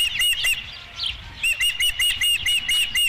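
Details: Nesting osprey, 5 July 2016, first fish of the day: a few piercing chirps, a brief pause, then a quick even string of about eight whistled, down-curled notes.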